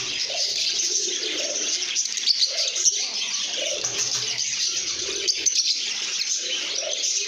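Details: Lovebirds singing and chirping contentedly: rapid shrill tweets layered densely, sharp louder squeaks standing out, and short low coos repeating in the background.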